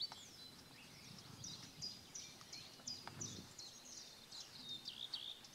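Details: Six singing male common redstarts at Kunfehértó, Hungary, on 15 April 2018: quick, high, twittering notes and short trills run together in a busy stream, over a low rumble of background noise.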